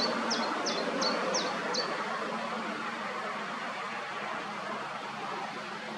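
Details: White-tailed eagle family at the nest in Alde Feanen National Park near Koudum, Netherlands, 8 May, with three growing young: five thin, high, down-slurred yelps over about 1.5 seconds, against wind and distant traffic rumble.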